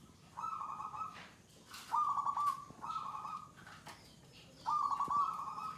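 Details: Zebra dove (perkutut), a local wild-type bird in its gacor stage, settled and unafraid, singing long bouts: four quavering, rolling coo phrases separated by pauses of about half a second to a second, with faint clicks behind.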